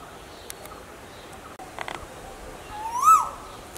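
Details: Asian koel, from a recording of male and female birds: a single loud whistled note rising then dipping, heard once near the end against faint background clicks.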